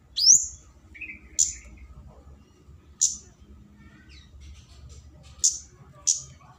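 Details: Flowerpecker lure calling to draw a rival, known as kemade cabe-cabean: a rising high whistle, then a brief buzzy note and a series of sharp high ticks spaced irregularly, about six in all.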